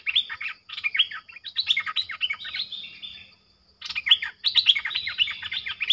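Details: A decoy streak-eared bulbul calls in wild birds; busy strings of quick, sharply slurred notes tumble in phrases, a brief gap near the middle before another lively burst, with a soft low hum underneath.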